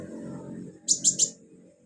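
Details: Sunbird singing actively as filler song for bird training: three fast, very high, sharp chirps in a row over a low hum.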